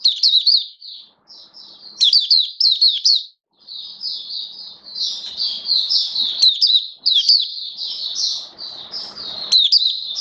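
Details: Hobby-kept oriental white-eye in build-up form, recorded 19 September 2022, sings a long continuous stream of high, jumbled twitters and trills, with some faint rustling and low background noise underneath.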